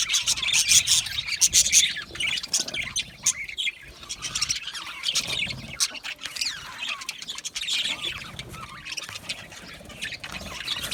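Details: Several Australian budgies chirp together when content, giving a busy, overlapping twitter of short high notes with scattered squawks, loudest in the first two seconds, then a steadier, softer murmur of chatter.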